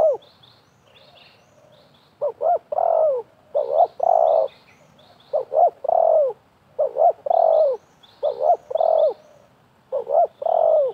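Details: Spotted dove calling contest between a wild bird and a trapper's decoy: six or seven repeated phrases of two quick coos and a drawn-out falling note, one per second or two. Light high chirping from other birds.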